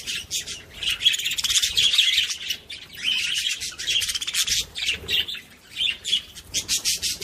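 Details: Budgerigar chatter meant to stimulate other budgies, a near-continuous stream of rapid squeaks, clicks and scratchy warbled notes with brief dips in loudness.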